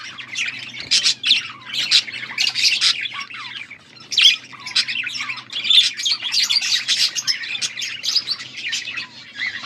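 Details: Several budgies chirping on August 14, 2024, with a steady, restless flow of high buzzy warbles and sharp squeaky tweets in irregular bursts about every second, with a faint background hum.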